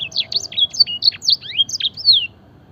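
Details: Canary training song mimicking blackthroat and edel sanger, a short burst of fast high chirps and downslurred whistles that ends abruptly after about two seconds.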